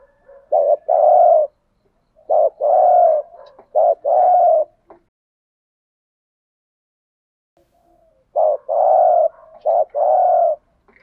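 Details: Decoy spotted dove luring wild doves with bursts of low coos: clusters of short notes and longer even hoots in quick succession, a pause of several seconds, then another run of three coos.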